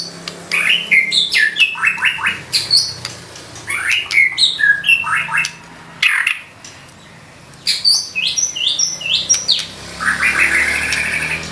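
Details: White-rumped shama (murai batu) in nembak song, gacor and full of isian: rapid bursts of sharp chips, squeaky notes and short whistles, a brief lull, then more chattering bursts, over steady background noise.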